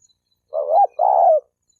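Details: Single spotted dove phrase, used to provoke males and females to coo and fight: one rising hoot swelling then dropping, followed by a longer steady coo.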